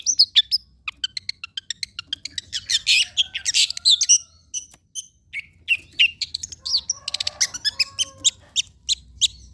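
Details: Long-tailed shrike song for prompting birds to sing, a fast chattering medley of clicks, ticks, short whistles and buzzy notes, tumbling in dense bursts with a short break midway.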